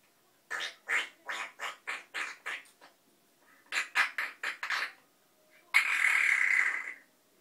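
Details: Noisy pet African grey parrot producing a fast series of harsh, broadband squawks at about four per second in two bursts, then one long grating rasp lasting over a second.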